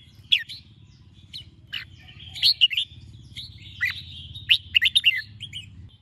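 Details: Morning chè song of a red-whiskered bulbul meant to stir and train other bulbuls: scattered sharp chirps and slurred warbling notes, busier near the end, over a noticeable low droning hum.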